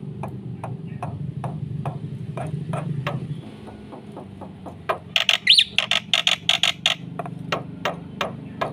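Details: Black-winged myna in vigorous full-fill song, used to coax silent birds into singing: scattered harsh clicks over a low hum, then a rapid run of loud buzzy rasping notes with a rising whistle near the middle.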